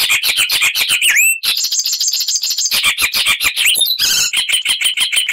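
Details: Icterine warbler pouring out a loud, mimicking song: rapid chattering notes with upward-flicking whistles, a stretch of thin high ticking, then a harsh burst and renewed quick chatter.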